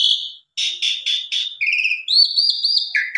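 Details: Singing Asian pied starling, used to coax other birds into song. A high whistle opens, then four harsh buzzy notes at about half-second spacing, followed by wavering whistles.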